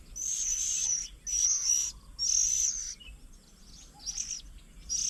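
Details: At a garden bird table near Chiang Mai, Thailand, on 8 June 2022, Oriental magpie-robins feed their young; three long, shrill, high hissing notes come close together, then softer, fainter notes follow after a short pause.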